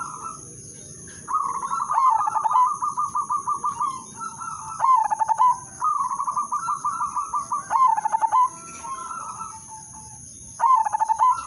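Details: Zebra dove (perkutut), the udanmas silver bird, giving its melodious lure song to get other doves singing: bubbling trilled phrases ending in staccato pulsed coos, repeated several times with short gaps. A constant high-pitched hum sits underneath.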